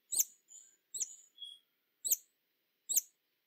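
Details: Hummingbird with sharp, squeaky descending chips, sometimes followed by short buzzy high notes. Four main bursts are irregularly spaced, with a faint thin whistle between them.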